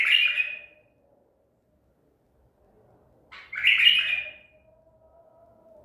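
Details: White-eared bulbul of the Baghdadi type, caught at Medical City, 14 April 2021: two loud, bright bubbling phrases about three seconds apart, separated by silence, with a faint steady hum behind.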